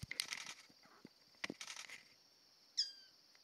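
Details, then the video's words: Magnificent bird-of-paradise (Cicinnurus magnificus), polygamous male courtship display, West Papua, New Guinea hill forest: dry rattling bursts and clicks, then one sharp downslurred whistle, over a steady high insect hum. "Courtship of Magnificent bird-of-paradise"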